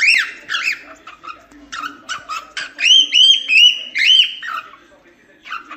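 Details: Cockatiel song mixing arched warbled notes, rapid clicking chatter and a run of clear looping whistles, ending with a few soft chirps.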